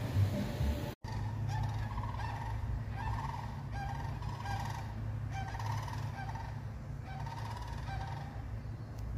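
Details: Sandhill crane (Antigone canadensis) flying over, giving rolling, trumpeting rattle flight calls about once a second, with a steady low rumble of wind beneath.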